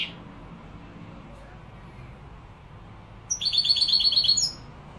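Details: European goldfinch labelled Malaga, Morocco: after three quiet seconds, one short burst of bright, rapid twittering notes with tinkling high overtones, lasting just over a second.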